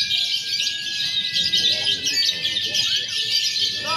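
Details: Lovebirds in a simulated contest of konslet, fighter and paud styles for training; constant high, grating chatter over a long held whistle, ending in a quick rising burst.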